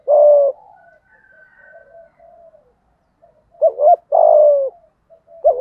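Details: Spotted dove, 'giọng thổ' voice style, cooing to provoke a rival male: a long low coo, a pause with faint soft coos, then a wavering double note and a long coo. Another phrase begins at the end.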